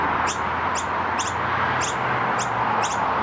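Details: Two juvenile Noisy Miners being fed by their parents in early spring (17 Aug 2023) at Keperra, Brisbane, Australia, give thin, high, insistent begging squeaks about twice a second over a steady background hiss; Noisy miner.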